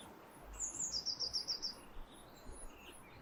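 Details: Dawn chorus bird singing at sunrise on a frosty winter morning by the Thames near Twickenham: a fast series of about seven thin, high, evenly spaced notes, with an earlier high note before it and a faint background hum.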